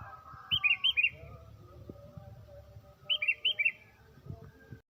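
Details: A tame sooty-headed bulbul in lively morning song, used to lure other birds: two clear bursts of four rapid, bouncing whistled notes about two and a half seconds apart, with faint low rumble beneath.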